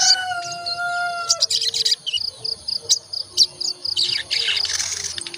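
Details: Olive-backed tailorbird lure recording meant to spur birds into song: a low steady whistle at first, then fast chattering, beaded high notes and sharp chirps pouring out in quick bursts.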